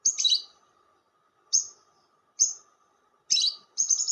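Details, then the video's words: Lovebird lure sound: sharp squeaky chirps spaced about a second apart, some harsher and grating, ending in a rapid chatter, with a faint hum behind. "SUARA PIKAT BURUNG LOVEBIRD"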